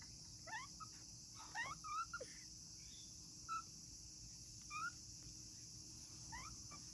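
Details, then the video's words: An African grey parrot chick hatched August 2020 calls on its own at a breeding facility, seemingly lonely. Sparse, faint whistled notes, some rising and some falling, come in small clusters over a constant high hiss, with occasional light clicks. "とても鳴き声が可愛い2020年8月生まれのヨウムの雛 African Grey Parrot"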